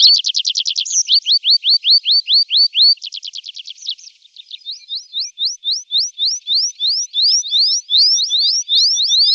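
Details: Singing tree pipit on a summer day, delivering a fast trill, a run of evenly spaced rising whistles, another quick trill and then a long series of repeated slurred notes.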